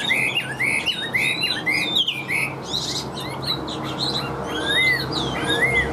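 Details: Chinese hwamei kept in a cage, a steady, forceful singer that flicks its wings; clear looping whistles rising and falling, delivered in quick runs, then brighter upslurred phrases, over a faint low hum.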